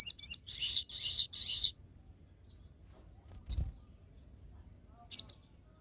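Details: Crested jay song for training and luring other birds: a dense run of harsh high chirps, then silence with a soft low thump, then two lone sharp high notes about two seconds apart.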